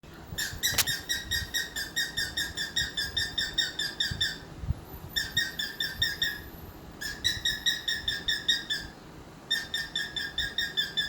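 A cockatiel gives rapid bursts of bright, harmonic chirps in several quick runs.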